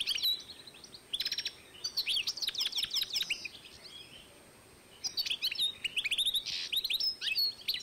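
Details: European goldfinch x canary hybrid from 2012 giving rapid high twittering song with buzzy trills, a quiet pause of about a second, then more chattering notes.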